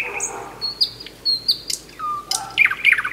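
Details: Common Nightingale singing in a village, a night singer of May that can sing at any time: varied loud phrases of level whistles, sharp clicks, a low slurred note and bursts of rapid notes with short pauses.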